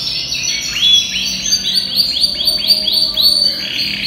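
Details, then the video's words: Ten-month-old yellow canary imported from Europe, in peak singing condition, repeats a run of about ten rising chip notes in quick even rhythm, each a sharp upward sweep, forming a rolling trill. "Chim Hoàng Yến Nhập EU Vòng 2021 Hót Đảo Giọng Cực Hay || Yellow Canary Bird Singing"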